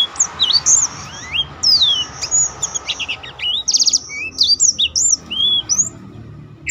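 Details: Black-throated canary singing energetically, used to stimulate and teach other birds richer song: a continuous stream of high, fast up-and-down whistled slurs broken by short buzzy rattling trills, with a faint low hum underneath.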